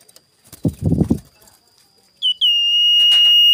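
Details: Morning lure recording of a sirtu, meant to stir up rivals. Brief human speech comes first, then a short whistled note and a long, even, high whistle sustained to the end.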